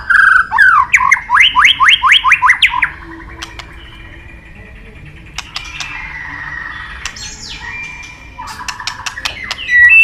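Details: White-rumped shama, favoured by songbird hobbyists, delivering a string of about ten quick rising whistled notes, then softer scratchy warbling with scattered clicks, ending in a brief whistled phrase.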